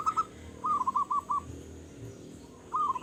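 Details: Local zebra dove with a big voice giving brief soft rolling coos: a quick double note, a short run of five bouncing notes, then another short burst, faint over low background rumble.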